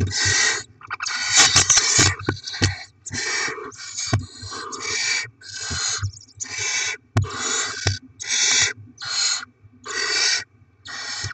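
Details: Young barn owls being fed delivered rodents on 7 February 2024: a long series of about a dozen rough, breathy hisses repeating every second or less, mixed with scratching, clattering and knocks.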